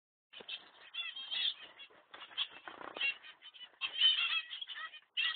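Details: Baby zebra finch that fell out of its nest box and is exploring outside; a rapid run of nasal, honking calls with stacked harmonics, in short bursts separated by brief pauses, with a louder cluster near the end.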